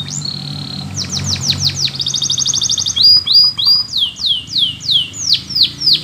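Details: Training song of a Russian canary in flute style: a held whistle, quick descending sweeps, a rapid buzzy trill, then slow swooping whistles repeated about twice a second.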